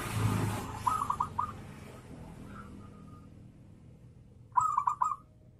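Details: Zebra dove kerot-style song, used to stimulate other doves into singing; two brief bursts of four or five rapid staccato coos, separated by a soft drawn note and background noise at the start.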